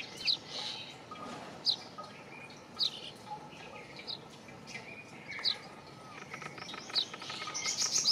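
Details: Indian chat, or brown rock chat, found in northern and central India on old buildings and rocky ground, giving brief high piercing chirps spaced roughly a second apart, with a soft rushing background and rising noise at the end.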